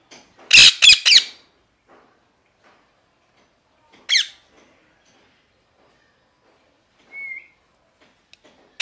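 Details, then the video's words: Parrot letting out a quick burst of three harsh squawks, then a long near-silent gap broken by one more screech and a brief faint whistle. "Parrot Chirping Sounds | Natural ParrotSounds | Parrot Calling Sounds"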